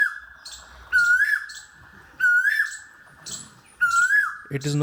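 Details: Asian koel hidden shyly in foliage at a wetland near Gurugram, India, on an early spring morning, giving three loud, clear whistled notes, each swooping upward, spaced more than a second apart; a voice starts at the close.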